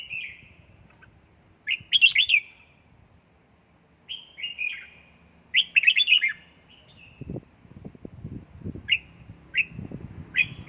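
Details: Red-whiskered bulbul practising 'căng lửa' singing at home, bursting into repeated warbled phrases of sharp slurred notes separated by pauses, with short clipped chirps and soft low thumping sounds toward the end.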